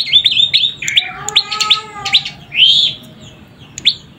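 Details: Young prenjak lumut prinia calling busily: a jumble of sharp high chirps and longer slurred whistled notes, densely packed at first, then thinning to single chirps, with faint lower tonal sounds behind.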